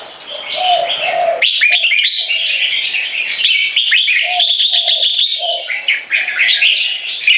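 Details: Red-whiskered Bulbuls, two competition cage birds aged 3.5 and 7 years, duelling to subjugate an opponent with butir frequency singing; rapid jumbled bright chirps and warbles pour out without pause, overlapping one another, plus softer low notes at times.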